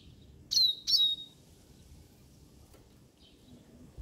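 A siskin gives two quick, high, thin whistled notes that slide downward, then a faint third note after a pause, over a soft low background hum.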